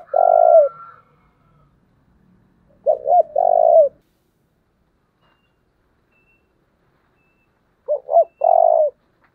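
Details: A decoy spotted dove urges on wild birds with deep, throaty coo phrases. Each has two short clipped notes and a longer rolling coo, repeated about every five seconds with silence between.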